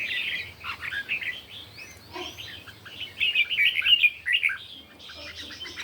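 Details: Red-whiskered bulbul singing competitively in the morning: rapid run of sweet warbled notes, a brief lull with a lower note near the middle, then a louder bubbling burst toward the end.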